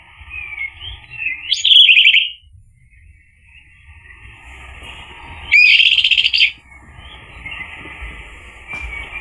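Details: Anis merah, the orange-headed thrush, in a lure recording meant to provoke a male into gacor, ngeplong singing: soft, thin, high twittering runs interrupted twice by loud, rich, rapid trilled phrases lasting about a second each.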